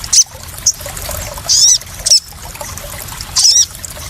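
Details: Crested jay, used as a lure to provoke other birds and as therapy for newly caught birds, gives three short high squeaky notes that bend downward, spaced unevenly over four seconds against a steady hiss.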